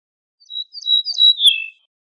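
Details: Ortolan bunting song: a short phrase of thin, pure whistled notes, steady then sliding slightly lower at the end, in clean silence.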